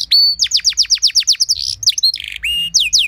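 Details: Canary song for coaxing other canaries to sing: a steady series of high downslurred whistles, a brief buzzy rattle, then a few longer sweeping notes, lively and varied.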